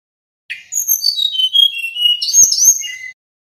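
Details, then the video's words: Nyeklek-style song of a male little pied flycatcher, played to prompt other birds to answer: a continuous run of very high, thin, warbled whistles with quick slurred notes lasting over two seconds, broken by two sharp clicks. "Suara Sikatan Bambu Jantan NYEKLEK"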